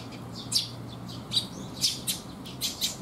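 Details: Sparrows coming to be fed on a rainy day, 19 June 2021: short bright chirps at irregular intervals, about five in three seconds, over a low steady hum.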